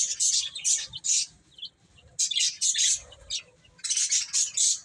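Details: Baby chickens eating and playing, giving three clusters of bright, high, rapid chirps separated by short quiet gaps, with faint low rustling beneath.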